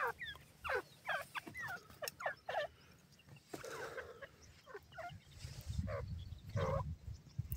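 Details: Francolin (teetar) calling: a run of loud, sweeping, rising and falling harsh notes in irregular bursts, with quieter overlapping calls and low background rumble.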